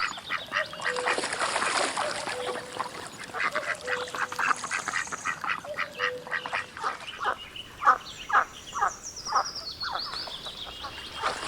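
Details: Duck quacking in a rapid, irregular run of short nasal calls, about two each second, with steady background noise and a faint musical tone throughout.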